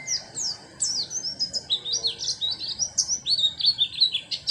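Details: Caged oriental white-eye with an 'isian' fill-in song, a rapid stream of high, sharp chirps and sliding whistled notes, about three per second, continuous and lively throughout.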